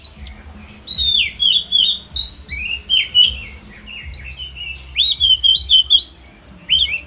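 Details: Song of an Oriental magpie-robin (Copsychus saularis) during daily voice training: a fast, varied stream of high whistles, slurred rising and falling notes and scratchy twitters, delivered almost without pause after a quiet opening second.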